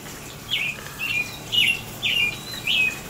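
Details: An American robin sings in the rain on 22 April 2018: five short, clear caroling phrases, each rising then dropping, about two per second, over a soft steady hiss of rain.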